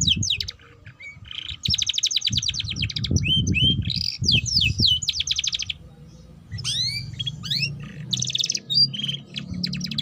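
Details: Canary song used as a lure recording to prompt young canaries to start singing and learn the chattering 'ngeriwik' style. It has fast buzzy trills, high rising and falling whistles and sweeping notes in bursts, over a low rumbling background.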